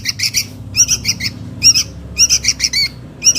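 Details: Sooty-headed bulbul chick begging for its mother, used to lure adults: insistent buzzy squawks with a rising-then-falling inflection, delivered in quick bunches of three or four.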